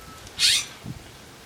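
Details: Brief, loud, scratchy squawk from a Western scrub jay at a windy feeding tray, followed by a soft low knock.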